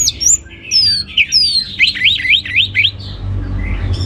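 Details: Orange-headed thrush song offered as a teaser track to get other birds singing: sharp descending whistles, then a quick run of loud looping, rising-and-falling notes around the middle, with low background hum throughout.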